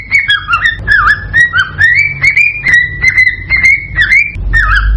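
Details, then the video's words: Cockatiel whistling to stimulate breeding and egg laying: loud, chattering whistled phrases with dipping, U-shaped notes and level held tones, repeated rapidly without pause. "صوت لتحفيز الكوكتيل على التزاوج والانتاج"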